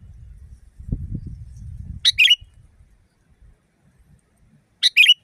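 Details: Sooty-headed bulbul calling loudly in nature. Two bright, clipped two-part chirps ring out nearly three seconds apart over a quiet background, after an opening low thumping rumble.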